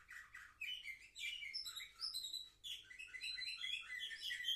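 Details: Seven-month-old young canaries of the Orfey line, filmed 10 November 2023, singing a continuous varied warble of chirps, trills and rising whistled notes, packed closely together without pause.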